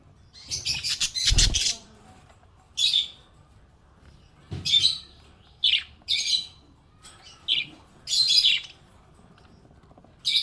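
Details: Happy budgerigar chirps: a scratchy burst with a low knock early on, then a string of separate bright, high chirps spread over ten seconds.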